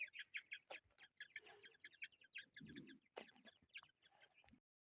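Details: Chukar partridge chicks peep in a dense, quick series of short high notes, about three per second, over soft rustling and a brief low rumble.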